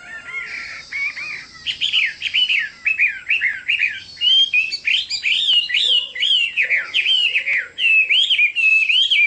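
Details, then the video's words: Chinese hwamei singing a loud, continuous run of rich whistled notes, each quickly rising and falling, varied phrases tumbling one after another with hardly a pause. "Chim họa mi đẹp và hót rất hay"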